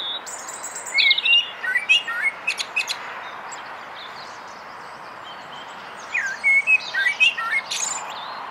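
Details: Male common blackbird (Turdus merula) singing on a foggy morning: two bursts of mellow, fluty warbled phrases, each ending in a thin, high twitter, separated by a few seconds of quiet background hiss.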